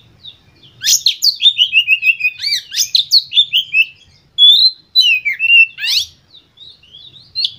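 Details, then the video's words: Oriental magpie-robin, emotional lure song used to provoke other birds to sing: a long rapid string of loud piercing downsweeping whistles and harsh scratchy notes, a short pause, then further shrill slurred phrases. "Pancingan Kacer Full Emosi Ini"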